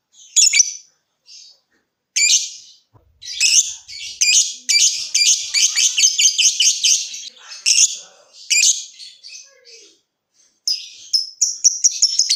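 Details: Lovebird song, used to encourage other lovebirds to trill: irregular bursts of harsh, squeaky chattering and short rapid trills, broken by brief pauses.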